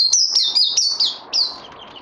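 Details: Songbird being trained after Covid-19, 18 May 2020: loud, piercing whistled notes that swoop downward, four or five in swift succession, ending with a softer descending trill.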